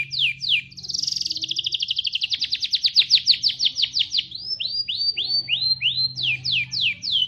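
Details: Rambetuk laut singing with canary song imitation; fast series of sharp downslurred whistles, then a rapid trill of buzzy repeated notes, followed by slower looping upslurred whistles, about three notes per second, over a low steady hum.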